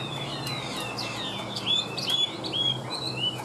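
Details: Caged Chinese hwamei, largely tame, singing even, clear whistled phrases with level held notes and quick upward slurs, repeated at a lively pace over faint low background noise.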